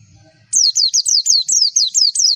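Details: A white-eye known as pleci, recorded for training other birds to reply: eight evenly spaced, bright, high descending whistles following half a second of faint background.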